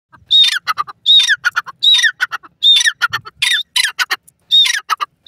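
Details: Francolin, locally called teetar (partridge), giving loud harsh calls in rapid repeated phrases. Each phrase opens with a shrill high note, then rasping, scratchy lower notes, about five phrases in five seconds, with no other clear sounds.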